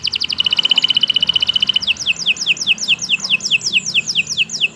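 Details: Canary delivering a fast, even buzzing trill that shifts into a series of clear downward-slurred whistles repeated roughly five times a second, over a faint hum.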